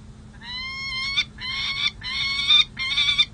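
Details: Peregrine falcon pair at San Jose City Hall on 16 July 2024, resting after breeding season and engaged in long pair bonding. They give four loud, harsh, drawn-out wailing calls, each about half a second, with rough buzzy endings.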